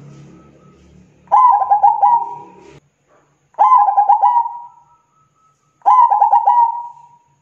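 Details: Zebra dove singing three similar phrases roughly every two seconds, each a rapid run of soft coos melting into a drawn-out steady note; a low hum sits under the opening.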